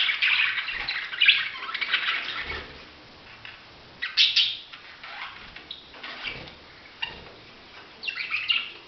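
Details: Budgerigars chattering with bright scratchy chirps and warbles in several bursts, falling quieter in between and picking up again with a rising chirp near the end.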